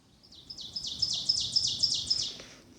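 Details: Ovenbird (Seiurus aurocapilla) singing in mature deciduous oak forest with thick leaf litter, Manchester Cedar Swamp Preserve, southern New Hampshire, spring; about nine quick ringing 'teacher' phrases swelling louder toward the end, over faint low rumble.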